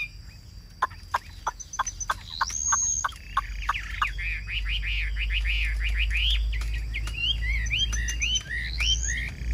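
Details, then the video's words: Caged Chinese hwamei in Vietnam singing: sharp clicks first, then a long rising whistle and a fast run of bright slurred notes at about three per second, ending in high rising whistles over low background hum. "Cao cầu hót tốt"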